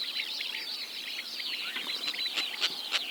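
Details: Small flock of eight Sociable Lapwings, Kazakhstan, 2025: a continuous overlapping chatter of wiry, twittering notes, with a few louder clicking rasps standing out near the end.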